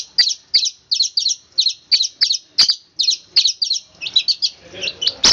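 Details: Tight, speedy rolling song of a long-tailed shrike, the style known as roll speed rapat: evenly spaced doubled high chirps about three per second, then a quicker scratchy flurry near the end.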